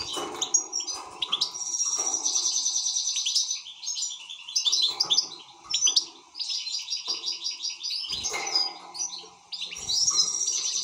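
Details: European goldfinch in an excited state, delivering rapid liquid twitters and extended buzzy trills in several phrases with short gaps.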